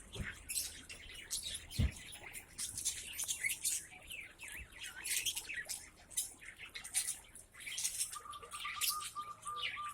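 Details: Mixed lovebirds kept together in one cage in Aceh Besar, producing a dense, continuous chatter of high, sharp chirps and squeaks from many birds at once, with a brief knock and a steady low tone late on.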